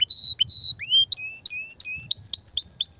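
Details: Canary song played to excite female canaries for mating: clear separate whistled notes, some flat, some rising upslurs, repeated with short pauses and growing quicker toward the end.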